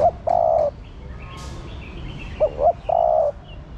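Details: Spotted dove, female, calling to stimulate the male. The clip opens with the end of one phrase, then a complete one: two quick rising notes and a long, slightly falling coo, loud and close.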